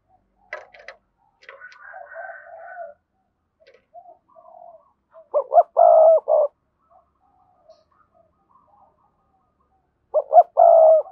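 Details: Spotted dove cooing to lure wild doves into answering, with a softer, higher warbling passage and faint notes first, then two loud low coo phrases about five seconds apart, each ending in a long hollow note.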